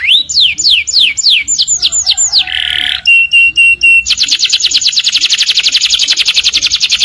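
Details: Morning canary singing: repeated rising-falling whistles, a buzzy burst, a few flat clear notes, then a long fast high trill.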